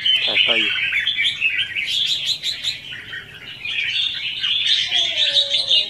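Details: Red-whiskered bulbul fighting song, 'hót ché' style, used as a lure for trapping. Continuous dense warbling chatter, fast and uneven, with a brief lower descending note near the start.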